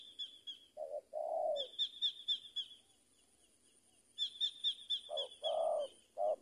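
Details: Spotted dove, a trained lure bird, giving a few low hollow coos at the start and end, alongside another bird's rapid, bright chirping series in two bursts.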